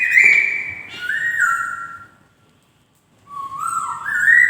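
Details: Melodious song of a poksay (white-crested laughingthrush): a loud high whistled phrase sliding downward, a silent pause, then a rising whistle that climbs in steps.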